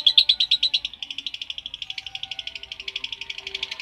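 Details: Lovebird ngekek, a long-duration chattering song used as a training recording to provoke other lovebirds into singing: a fast run of sharp, high, buzzy pulses, loud at first and then steadier and softer, about seven per second.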